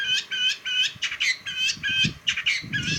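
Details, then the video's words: Long-tailed shrike (pentet) giving a harsh, rasping phrase repeated about twice per second, each note grating and rich in overtones, with low background noise underneath. "Ocehan burung pentet"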